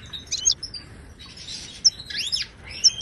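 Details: Moroccan goldfinch in Widani and tbitba styles, a song for training silent caged birds; lively twittering of high chirps, a looping rising-and-falling slur and bright sharp notes.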